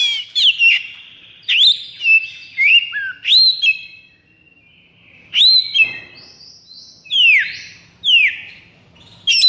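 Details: Oriental magpie-robin kept caged, in 'konslet' high breeding and fighting mood, sings a series of upslurred whistles, then silence, then loud descending slurred notes.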